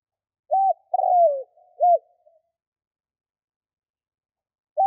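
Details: Spotted dove, a kept decoy bird cooing to lure wild doves in Vietnam: a short phrase of three clear, mellow coos, the middle one longer and falling, with a fresh coo starting at the end. Indoor quiet, no other sounds.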